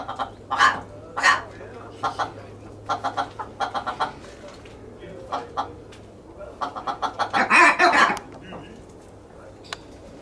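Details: Captive willow ptarmigan in a private aviary in Holland, recorded 19 August 2023, giving rapid stuttering bursts of clucking notes that speed into a dense rattling run near the end, with quiet pauses between bursts.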